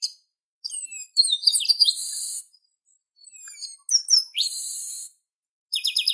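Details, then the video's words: Song of the Chestnut-capped blackbird (garibaldi, papa-arroz, xexeu-de-lagoa, rinchão): bursts of high slurred whistles and chirps, each phrase ending in a sustained harsh buzz, repeated twice, then a rapid stuttering trill at the end; background quiet. "CANTO DO GARIBALDI - papa-arroz, xexeu-de-lagoa, rinchão"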